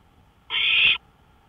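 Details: Owl calling out on a porch at 1:53 AM on May 5, 2013: a single harsh, hissing screech lasting about half a second, with a quiet background.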